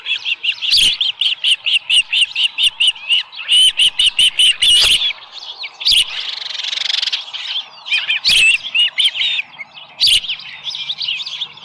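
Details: Osprey at a nest with a small live fish, 7:10 AM, 13 July 2018. A fast run of piercing, evenly spaced chirps opens the recording, then louder scattered squeals with several sharp knocks.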